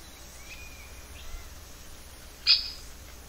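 Squirrel cuckoo: a sharp, loud single note near the end, after faint, thin whistled notes earlier, over a steady low background hiss.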